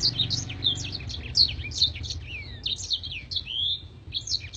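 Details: Blackthroat singing clear, crystal-toned phrases of quick high chirps, with a longer falling slurred whistle midway and varied twittering after, against a low background rumble.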